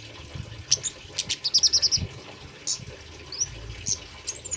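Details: Male orange-headed thrush song used as a lure, a rapid string of high, sharp repeated notes followed by scattered single whistles and chips, with faint water and low rumbling behind.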